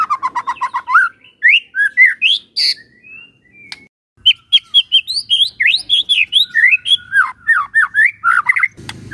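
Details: White-rumped shama in morning song, a rich, fast medley of rising whistles, chattering notes and sharp chips, with a brief pause before the phrases resume.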